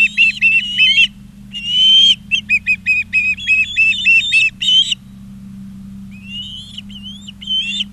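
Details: Montana Ospreys calling at their Charlo nest, 20 August 2023: loud, shrill whistles in fast irregular clusters, some long and upslurred. After a gap, fainter whistles return. Steady low camera hum throughout.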